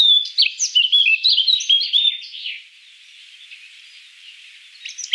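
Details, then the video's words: Eurasian Blackcap song: a rich, fast warble of mixed whistles and chattering notes for about two seconds, then near quiet, ending with a few brief chirps. "Eurasian Blackcap (Sylvia atricapilla)"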